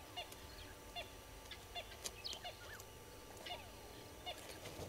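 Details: Several red-billed hornbills near Gowrie dam waterhole, Djuma Game Reserve, Sabi Sand, South Africa, early morning 15 April 2022: a steady series of low clucks about once a second, mixed with higher chirping and whistling from other birds.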